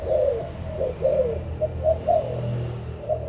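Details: Adult spotted doves of Malaysian and Thai stock, recorded 16 March 2022: soft, low cooing phrases that repeat and overlap, with a steady low hum underneath.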